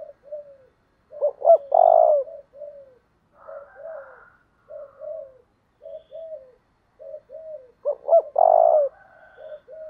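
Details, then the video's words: Decoy-training coo of a spotted dove in 'thúc đấu' style. Soft, paired, low coos repeat steadily, broken by two loud phrases: quick notes leading into a long, rolling, downslurred coo. Faint higher tones are heard between them. "tieng chim cu gay thuc đấu/ chim cu gáy tập bổi và mồi"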